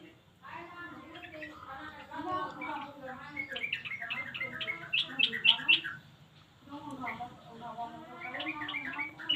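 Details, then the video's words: Yellow-vented bulbul calls played to make reluctant birds respond. Gurgling, bubbling phrases with quick rising chirps, building to sharp bright notes, a brief pause, then more liquid chattering. "Pancingan Burung trucuk malas bunyi auto nyaut"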